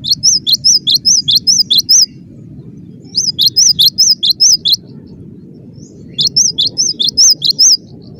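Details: Cinereous tit pouring out its crowded song: three bursts of quick, high, arched two-note whistles, six or seven per burst, separated by brief silences, with a low background hum.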